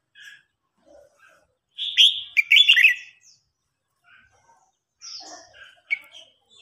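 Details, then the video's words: Red-whiskered bulbul contest song, an old wild-caught bird challenging a young bird. One strong, rollicking warbled phrase dominates, surrounded by scattered soft chirps and thin high notes. "Chào mào hót đấu.Rừng già chinh phạt bổi non.bổi non ức chế lên lửa ."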